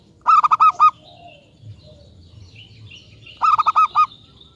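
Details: Zebra dove of local stock singing as a lure bird to draw replies from other doves: two phrases of rapid, throaty, bubbling coos separated by about three seconds, with faint thin chirps of other birds between.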